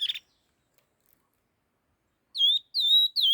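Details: Fast laughingthrush song: after a short clipped note and a silent gap, a phrase of three strong whistled notes, each dipping slightly and holding steady, delivered quickly in a quiet setting.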